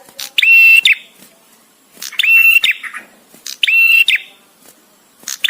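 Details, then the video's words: Visiting male bar-winged prinia song ('prenjak tamu'), delivered with gaps for use in master training of songbirds. Three strong buzzy phrases, each rising then holding a ringing tone, separated by about 1.6 seconds of near silence. "suara prenjak tamu JANTAN!!! dengan jeda cocok untuk masteran"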